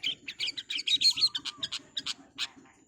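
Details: Long-tailed Shrike singing a speedy training-recording phrase: a dense run of harsh, high chirps and buzzy notes about five per second, with a faint low pulsing noise behind.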